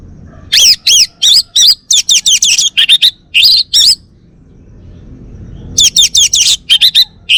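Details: Male orange-headed thrush from Bali, kept in a home, in full song: dense, fast bursts of loud, wavering high whistles and chirps, a pause of about two seconds, then another rapid burst.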